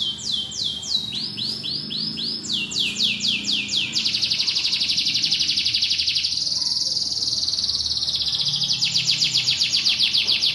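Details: Vigorous song of a white canary: rapid down-slurred whistled notes that give way to a long, dense, even high trill, then a renewed stretch of fast repeated chirps; loud, clear and continuous.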